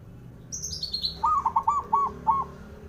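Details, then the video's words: Male zebra dove song meant to make rivals answer: a brisk series of about six mellow coos, preceded by a thin, high descending twitter from another small bird. "SUARANYA🔊 LAGI BANYAK DI CARI UNTUK PENDOBRAK LAWAN JADI EMOSI! BIKIN NYAUT"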